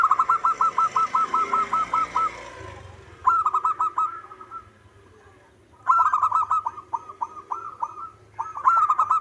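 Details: Local zebra dove, known as perkutut, in vigorous manggung song. About a dozen fast, even coos lead into several bubbling, stuttering phrases that recur every few seconds, loud and close.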